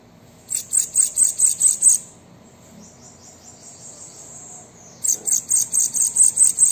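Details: Two bursts of bananaquit song, each a rapid chain of thin, piercing, high chips, about six to eight per burst, separated by a few seconds of soft high-pitched hiss.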